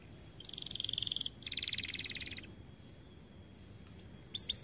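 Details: White AF canary in full song: two buzzy, rapid rattling rolls, each about a second long with a brief pause between them, then quiet, ending with a few quick high downward sweeps. Background hiss throughout.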